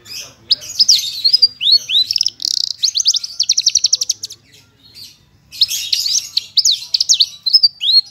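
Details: Javan bush lark, parva form, pouring out full isian with nembak bursts: looping whistled phrases, a fast even trill of high notes, a short pause, then bright varied slurred whistles.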